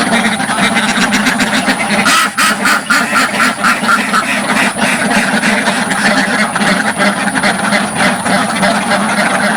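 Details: Many ducks crowded in a village farm pen quack loudly at close range, a thick nonstop wall of raspy, overlapping quacks, with one brief run of clearer higher calls near the start.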